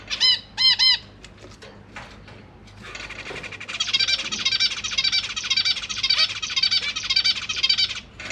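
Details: Captive zebra finch family in a new big cage, 25 January 2023, parents feeding newly hatched and juvenile babies, recorded on a GoPro Hero 8: two loud harmonic nasal calls, then a dense, rapid, buzzy begging chorus that runs unbroken for five seconds.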